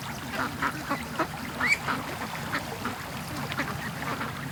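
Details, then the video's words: Flock of domestic ducks rushing from their pen to a creek in the morning; rapid overlapping quacks, about several per second, with one louder rising call midway and a low background hum. "Ducks At The Creek Morning Rush"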